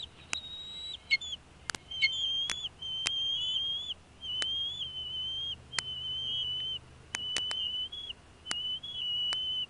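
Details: Bald eagles at a Northeast Florida nest with two young eaglets, 14 January 2016, during fish feeding: drawn-out, slightly wavering high whistles repeated in a steady series, separated by brief pauses and crisp clicking taps.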